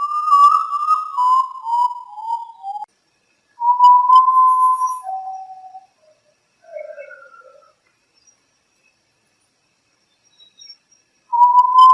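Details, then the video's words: Potoo, called urutau or ghost bird, singing at midnight: loud, mournful whistles that slide down in a falling series, with long pauses between phrases and a final whistle starting again. "SOUND OF URUTAU AT MID NIGHT GHOST BIRD FROM THE SINGING SCARY SINGING OF URUTAU"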